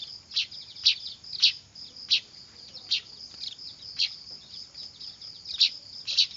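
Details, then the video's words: Clamorous weaver (manyar) chicks, a recording meant for luring birds: sharp, high chirps at a fairly steady pace, roughly two per second, over a thin continuous high whine. "Suara anakan burung manyar ribut cocok buat pikat"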